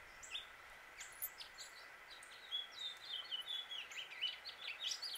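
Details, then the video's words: Male house finch from Suffolk, Virginia, USA: a few scattered chirps, then from about two seconds a bright, rambling warble of slurred, downward-sweeping notes over a constant hum. "House Finch Song and Call"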